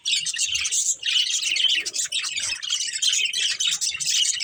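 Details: Chirping from a budgerigar breeding pair: unbroken high warbling chatter, scratchy and rapid, with short dips in loudness.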